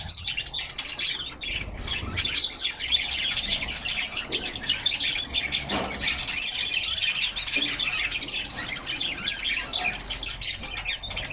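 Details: Canaries in a cage singing and playing in summer sunshine, recorded by a fixed inside camera; a steady chorus of thin chirps and warbles, swelling into a louder rolling trill midway.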